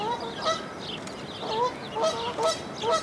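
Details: Canada goose near a dead-tree nest as newborn goslings jump down to follow their mother: short nasal honks in pairs roughly every half second, with small birds chirping behind.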